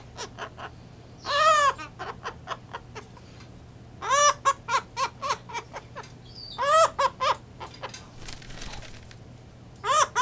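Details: Blue-headed pionus kept as a pet, vocalizing just after a bath: clustered runs of quick, throaty, cackling notes resembling laughter, several bouts spaced a couple of seconds apart over a faint constant hum.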